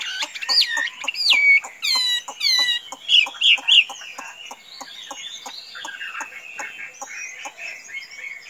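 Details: Tame Chinese hwamei giving bright looping whistles and quick descending notes, then quieter continuous warbling over a background of regular clicking.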